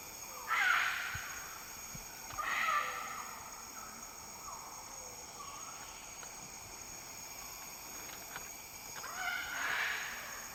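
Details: Male magnificent riflebird during its courtship dance display in West Papua rainforest: three loud, harsh, breathy bursts at irregular intervals, with faint forest background noise between them.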